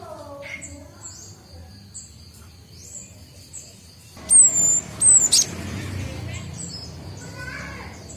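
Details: A young Cinereous tit (Gelatik Batu) learning to sing, just starting ngombyok: soft high notes, then two loud, sharp whistled phrases close together, each ending in a brief chip, over low background noise.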